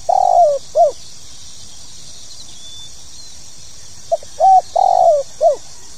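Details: Spotted dove (tekukur) giving its call in the 'pokal tanggung' style, used to get new birds singing: a long wavering coo sliding down, then a short arched note, repeated after a three-second pause with soft lead-in notes. Steady high hiss throughout.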